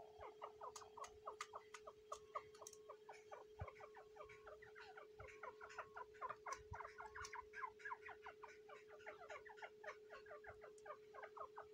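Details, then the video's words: Grey francolin hen protecting eggs in the breeding season, giving a long, dense series of quick, descending chirpy notes, several per second, over a constant low mechanical hum. "Female teetar eggs protecting Teetar breeding season"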